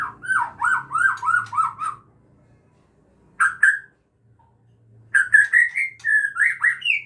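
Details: Captive-bred Aceh white-rumped shama while a parent feeds its chicks: a rapid series of seven rising-falling whistled notes, a short pause, a brief double note, then louder varied whistled phrases climbing in pitch.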